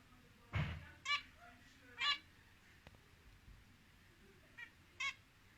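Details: Zebra finch, kept as a pet, giving a few short, nasal, buzzy calls at irregular intervals, about five over six seconds, with a soft thump and a faint click in a quiet room.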